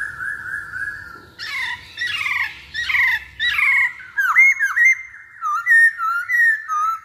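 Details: Masked laughingthrush used to coax other birds into song. A steady whistle is followed by harsh squawks, then clear looping whistled notes repeated about once a second.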